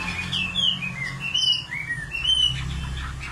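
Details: Short, clear whistled phrases from a nightingale, each sliding up or down, spaced loosely over a steady low hum.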